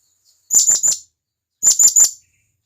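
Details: Companion-summoning calls of a wild blue-crowned hanging parrot: two tight groups of three shrill, high-pitched squeaky notes about a second apart, nothing else audible.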